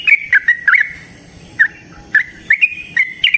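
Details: A wild-style trucukan song: a few quick bubbly chirps, a gap of about a second, then spaced liquid notes climbing slightly in pitch.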